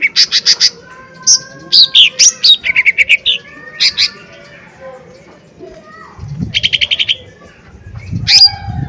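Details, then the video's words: Lesser green leafbird (cucak ijo mini) in energetic lure singing: a varied mix of short chattered bursts, sharp whistles and falling slurs, with quieter high tones and a few low thumps in the background. "Pancingan Cucak Ijo Mini Gacor Full POWER Tembakan keras Mancing Emosi"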